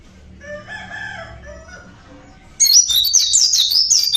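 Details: Local Javanese Oriental white-eye singing naturally: after a faint, low crowing rooster in the background, a loud, high, rapid twittering warble bursts in and runs for about a second and a half.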